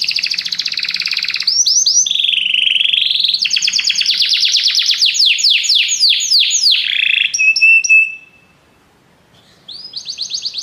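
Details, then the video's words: Canaries in a group singing in response to music, pouring out long rapid rattling trills and rolling repeated notes, pausing briefly near the end before a fresh fast trill begins. "muitos canários cantam junto depois de ouvir essa música"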